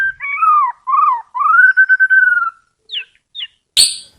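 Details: White-rumped shama: a few smooth, sliding whistled notes, then a long steady whistle, two short high chips and a final sharp harsh burst.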